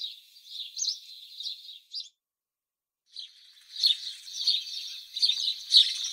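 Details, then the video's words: House sparrow producing soft continuous twitters and chirps, a brief pause, then a denser, rougher chattering burst with louder accents. "Как поёт Домовой, или городской воробей (Passer domesticus)"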